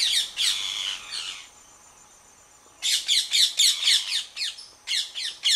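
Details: Wild Indian rose-ringed parakeet at its nest, which is attacked by a monitor lizard, giving harsh, grating screeches: a brief burst, then after a short pause a rapid run of about four raspy squawks a second.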